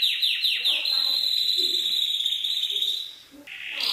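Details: Canary in a champion birdsong tutoring compilation: a few quick descending notes open into one long, sustained high whistled tone with a fine trill running through it, ending in a rising note.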